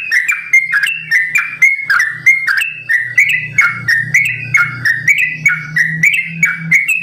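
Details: Sooty-headed bulbul in long, rapid 'ropel' song, 'simbar jati' variation: unbroken chain of fluty, chattering whistles jumping between pitches, over a steady low hum.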